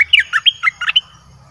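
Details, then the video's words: A caged red-whiskered bulbul, whose singing is played to draw in wild birds, gives a short, rapid burst of about seven bright whistled notes, rising and falling, over roughly one second, then stops. "เสียงนกกรงดอกแตงEp.22Birds sounds เปิดดอกเพลงหลากหลาย นกป่าเข้าเร็ว เพลงเพราะน่าฟัง"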